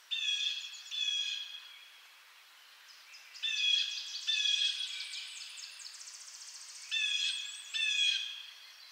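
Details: Blue jay giving paired screechy calls, three pairs of harsh notes separated by quieter rattling sounds.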